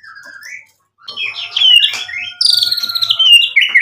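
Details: White-rumped shama song meant to provoke a reply: a soft rising whistle, a short silence, then louder mixed phrases and a bright, rapid, slightly buzzy high trill with sliding whistled notes.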